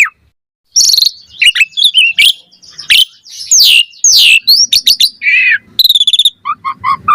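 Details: Asian pied starling song, a fast-responding lure recording for provoking replies and tutoring starlings: loud, varied whistled notes, falling slurs and harsh buzzy bursts, then a run of short repeated chirps near the end.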